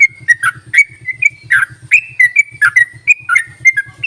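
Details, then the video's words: Lure call of the yellow-vented bulbul to stir bulbuls that will not sing: a busy series of clear whistled notes mixing flat held tones and quick downward slurs, with a soft rhythmic low buzz underneath throughout. "ropelan dan panggilan burung trucuk ini sangat memikat bagus buat pancingan trucuk malas bunyi"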